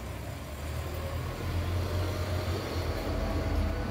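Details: Steady low engine rumble from a passing vehicle, with no bird or other animal voice heard.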